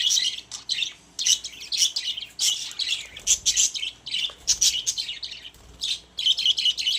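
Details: Several pet budgerigars kept together in a cage give dense, bright chirps and squeaky warbles in quick bursts, with short pauses between flurries of overlapping twittering.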